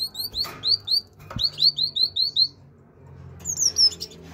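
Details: Great tit, a captive-bred cage bird, singing: bright whistled notes repeated in quick series, each dropping slightly in pitch, then a short pause and a higher run of similar notes; faint room noise behind.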